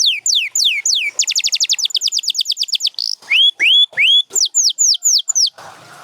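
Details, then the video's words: Canary among champion Gloster and Spanish Timbrado singers gives falling whistles, a rapid rattling trill, buzzy slurs and rising whistled notes, then falling notes, ending with a brief low background sound. "7 Days to a Singing Canary"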